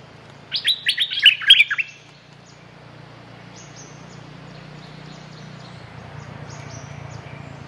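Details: Streak-eared bulbul gives a fast cluster of seven or eight bright, slurred chirps, then falls silent, leaving a steady low hum and faint background noise.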